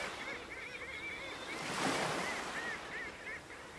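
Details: Black-legged kittiwakes at Bempton Cliffs, East Yorkshire give nasal, arching calls in quick overlapping succession, several birds at once, over a steady wash of surf and wind.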